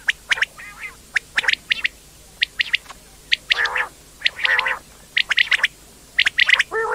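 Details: Indian quail (batair): sparse high chirps at first, then louder buzzy harmonic churrs and quick chirp clusters toward the end, with several birds taking part.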